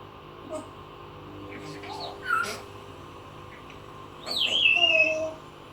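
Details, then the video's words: A plucked, adopted pet parrot running through her repertoire of sound effects indoors; scattered squawks and a clear whistled phrase that dips then levels, with a low steady hum behind. "going through her sound effects"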